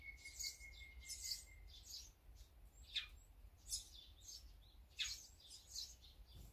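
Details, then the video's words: Mixed birds at a feeder, with azure-winged magpies, sparrows, great tits and brown-eared bulbuls named, heard as fairly soft, high chattering chirps and a few sharp downward-sweeping notes against steady background noise. "새소리 힐링방송"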